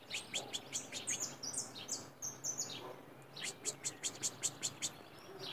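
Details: White saffron finch, a loose free singer, giving high chirping notes: first a run of short downward-sliding whistles, then a brisk series of sharp, evenly spaced clicks over a faint background hiss.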